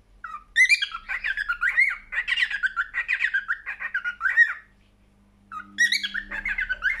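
A cockatiel sings a fast run of warbled, chattering whistles that rise and fall, pauses for a second, then starts again with a rising whistled phrase.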